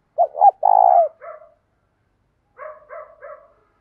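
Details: Spotted dove singing a morning call to lure wild doves, a full song in the thổ style mixed with thúc coos: two short rising notes, a long buzzy drawn-out coo, then three soft trailing coos after a pause.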